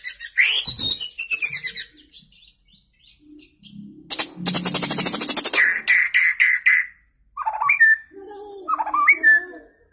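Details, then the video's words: Varied song of a young white-rumped shama newly out of juvenile plumage, a kept contest prospect: rapid repeated chipping trills, a harsh rattling burst, then sweet whistled slurs and softer warbled phrases. "Murai Gacor Muda Lepas Troto Muntah Isian Main Satu Tirik"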